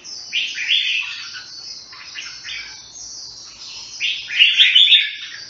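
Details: Singapore red-whiskered bulbul (jambul) delivering lively chattering whistled phrases, a busy burst early, softer notes in the middle, then a louder, richer warble near the end.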